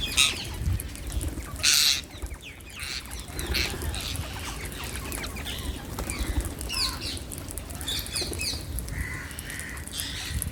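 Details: Wild rose-ringed parakeets at a terrace sanctuary in Madras give harsh, screechy squawks in short bursts, loudest near the start, over steady low rumbling background noise.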